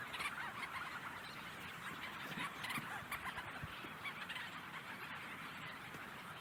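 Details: A dense night chorus of Leach's Storm-Petrels at a research colony on Baccalieu Island, Newfoundland. Many overlapping chattering, churring calls, rapid and irregular, form a constant mid-pitched clamour.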